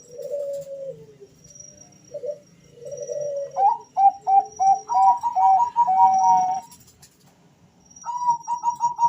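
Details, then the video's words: Bangkok-type zebra dove males answering each other: low rolling coos, then a rapid series of doubled whistled notes building into an overlapping burst, a brief gap, and a new string of quick notes, with a faint high background tone. "suara panggilan dua perkutut Jantan saling Bersahutan"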